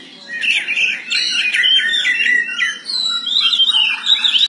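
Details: Oriental magpie-robin singing in the morning in captivity: a strong series of repeated whistled notes followed by quick, rising and falling warbled phrases.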